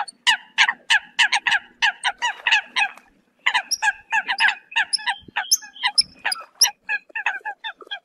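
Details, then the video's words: Calls of Eurasian coots summoning the flock: a steady, fast chorus of brief, nasal, honking notes from several birds, with a short pause near three seconds and thinner, higher squeaks mixed in later. "Tiếng kêu của Chim Sâm Cầm || Chim Sâm Cầm gọi đàn"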